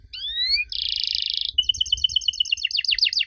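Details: Canary song used to get young canaries to answer: a rising whistled slur, a harsh buzzy roll, then a quick chain of chirps turning into repeated rising sweeps.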